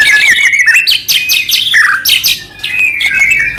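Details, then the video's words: White-rumped shama song used to prompt other shamas to sing. Squeaky varied notes alternate with rapid, downward-stroked chips. "murai batu gacor AMPUH buat PANCINGAN murai batu agar bunyi"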